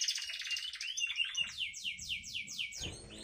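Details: Young canary about three months old singing in the long-trill style known locally as ngriwik. High, varied twittering notes lead into a rapid series of repeated, evenly spaced descending sweeps.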